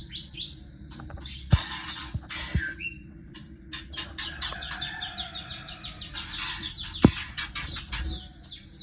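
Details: Morning scene of white-rumped shama chicks being taken from the nest: rapid series of short chirps and clicks, several buzzy rasping bursts, thumps and handling noises underneath.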